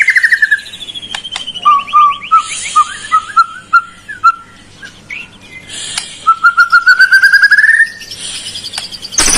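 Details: Lure recording of white-rumped shama song meant to make a lazy bird sing. A lower whistled phrase of short repeated notes, then a pause, then a steady rising string of rapid whistled notes. A faint hum lies beneath.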